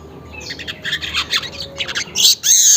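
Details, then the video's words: Weaver recorded early in the morning around 5:40 am: a run of scratchy, buzzy chattering notes that ends in a loud, sustained wheezing hiss. "suara pancingan burung manyar pagi hari"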